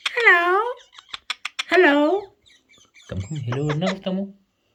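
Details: A pet Rose-ringed (ringneck) parakeet talking, chattering in high, speech-like phrases with quick clicks between, repeating words like "hello", followed by a deeper human-sounding voice repeating a word.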